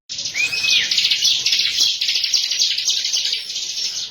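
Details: Continuous dense, high, buzzy chatter from a bar-winged prinia (ciblek) used as a lure song, with a clear rising-then-falling whistle near the start and rapid overlapping notes throughout.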